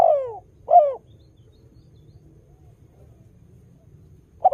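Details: Spotted dove, a frequent singer, cooing to lure wild doves into calling along: two short falling coos near the start, a long quiet gap with low background rumble, then the start of another coo at the end.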